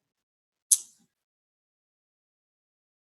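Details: Near silence, broken once by a single brief, hissy click or tap that fades within a quarter second.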